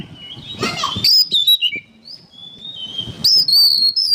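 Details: Song of an oriental magpie-robin meant for training songbirds: a soft rustle, then sharp high whistled notes and slurs, a thin sustained whistle, and another loud bright phrase at the end.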